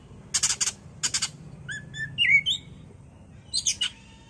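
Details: Oriental magpie-robin song used as a bait recording to provoke the bird into singing: harsh buzzy bursts near the start, then clear whistled upslurred notes, ending with another scratchy burst and a short low tone.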